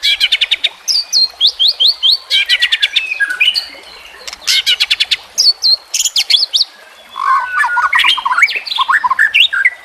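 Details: Training recording of White-rumped shama song set to natural sounds: rapid bursts of repeated sharp notes alternate with quick whistled slurs and chattering runs, delivered almost continuously with short gaps.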